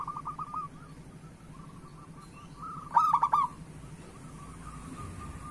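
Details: Local zebra dove song played to stimulate other doves to sing: soft, fading runs of short coo notes, then one loud rolling, bubbling phrase in the middle, and quieter notes again over steady low hum.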